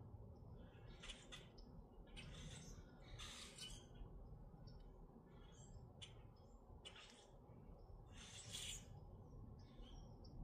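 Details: Grackles in Minnesota giving squawky, harsh calls in short broadband bursts spread through the recording, with a steady low rumble of background noise throughout.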